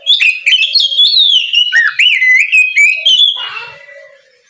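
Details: Oriental magpie-robin singing loudly in the morning, an open full song used to call untrained magpie-robins so they start singing; rich run of clear whistles, slurred rising and falling notes and quick chirps, ending in a fading lower burry note.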